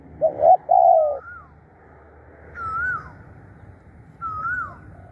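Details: Spotted dove kept as a decoy, calling eagerly: a single coo phrase of two short notes and a longer purring note opens the recording, followed by two separate wavy, rising-and-falling whistled notes over quiet background noise.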